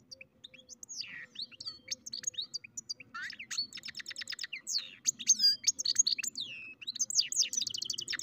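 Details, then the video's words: Mule of goldfinch crossed with canary singing a long continuous run of chattering twitters, rapid rattling trills and high slurred whistles, growing louder toward the middle. "καρδερινοκαναρο κελάηδημα (European Goldfinch carduelis mule singing)"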